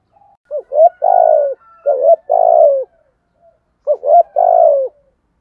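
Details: Spotted dove cooing in the style called giọng thổ, used as a lure to attract other doves: three phrases, each a short rising coo followed by a longer, louder, falling coo, about one second apart.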